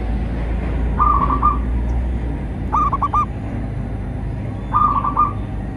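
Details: Zebra dove song meant to make caged perkutut sing and attract wild ones; three brief rolling coo phrases spaced roughly two seconds apart over a continuous low drone.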